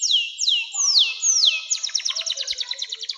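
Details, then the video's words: Canary with long 'nembak' song, used as a lure for young canaries and tutoring birds: four slow, loud, sharply falling whistles, then a fast series of short clipped notes. "SUARA KENARI NEMBAK PANJANG‼️cocok buat pancingan kenari muda dan masteran burung"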